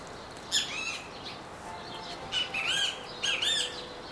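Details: A Great Kiskadee (kiskadee flycatcher) gives three loud, harsh, buzzy calls with arching strokes, spaced about a second apart, near a garden where someone is digging an asparagus bed in moist soil. The background is otherwise quiet.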